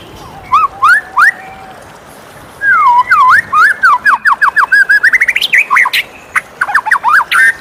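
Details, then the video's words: White-rumped shama singing in the morning: a few clear slurred whistles, a pause, then a fast run of looping whistled notes rising in pitch, ending in sharp chirps. "suara merdu murai batu di pagi hari"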